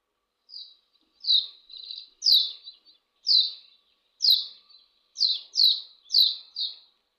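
A Barn Swallow sings a series of bright, high chirps, each dropping slightly in pitch, about once a second.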